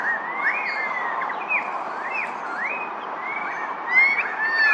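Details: Pied currawongs giving overlapping arched whistles, each rising then falling, repeated roughly every half second, with a brighter, louder phrase near the end.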